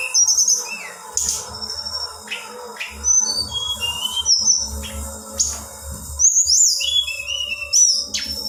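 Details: Female black-winged flycatcher-shrike, described as highly vocal, calling to provoke males: high thin whistles, short rising and falling chirps and sharp ticks in scattered bursts, over a steady low hum throughout.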